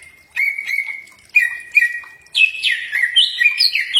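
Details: Green leafbird song for prompting a reply: level whistled notes broken by brief gaps, then a rich, fast-changing medley of slurred whistles and chatter.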